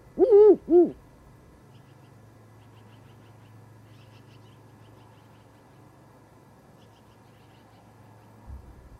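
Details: An owl at an osprey nest in Charlo, Montana, at dawn on 29 January 2019 makes a strange sound: two quick wavering, quavering hoots in the first second, then silence over a steady low hum.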